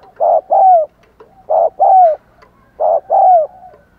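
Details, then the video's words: Spotted dove used as a lure for wild doves: three clear paired coos, a short hollow note followed by a longer downward-sliding one, spaced about a second and a quarter apart. "Chim Cu Mồi THÚC GÙ Và GÁY GỌI Bổi Căng Đét"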